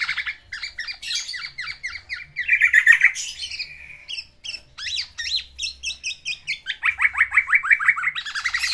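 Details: Kept pet black-naped oriole, a male courting a female, sings its isian (fill-in song material) in full voice: rapid chattering strings of short downswept squeaky notes, a dense trilled burst midway, then brisk repeated notes about three per second.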